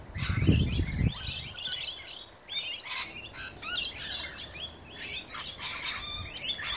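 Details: Feeding Rainbow lorikeets, several calling at once before cockatoos arrive, keep up a busy stream of shrill, screechy chatter and sharp squeaks. A low thump is heard near the start.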